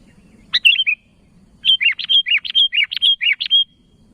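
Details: Sooty-headed bulbul calling to others: one brief bubbly phrase, then a steady run of about a dozen quick rising and falling whistled notes, close and clear over low hum.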